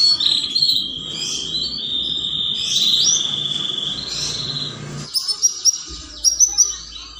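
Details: Domestic canary in mating condition, song used as a lure to stimulate other canaries: a long, steady, rolling trill held for about five seconds over low background hum, then a string of short, sharp, high chirps.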